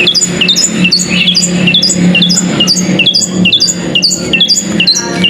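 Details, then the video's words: A caged bird bred for singing contests repeats crisp, high, downward-sweeping chirps about twice a second, with a steady low hum behind. "Peaceful Bird Chirping Sounds"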